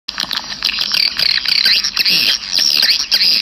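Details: Swiftlet lure sound played outside a bird house to attract swiftlets: dense, continuous high twittering chirps layered together, with rapid repeated buzzy notes.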